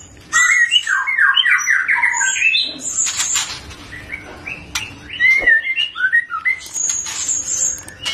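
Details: Young Medan white-rumped shama, still a juvenile, singing loudly in full ngeplong gacor style: fast varied warbled phrases in the mid range, bright high whistled notes above, and a few sharp clicks between phrases.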